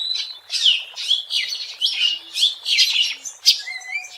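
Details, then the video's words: Oriental magpie-robin singing in the wild, used as a lure: rapid repeated phrases of bright whistled and buzzy notes, about two per second, ending with thin rising whistles. "SUARA ASLI BURUNG KACER GACOR BUAT PANCINGAN DAN PIKATAN MP3 DI ALAM LIAR"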